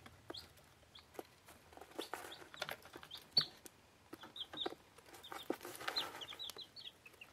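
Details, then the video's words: Week-old bantam Plymouth Rock and bantam Rhode Island Red chicks eating: scattered soft high peeps, short and slightly descending, mixed with many sharp pecking clicks and taps against a quiet background. "Küken fressen"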